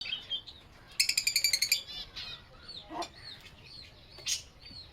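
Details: Lovebird chirping: a quick burst of about ten rapid, high, pulsed chirps lasting under a second, then scattered thin single tweets and brief squeaky notes against faint background hiss.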